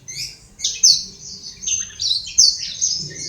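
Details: Black-throated canary, an imported cage bird from Kuta, Bali, delivering a short burst of high, sweet warbling: drawn-out trilled notes and bright chirps, briefly dipping lower mid-phrase, over faint background hum.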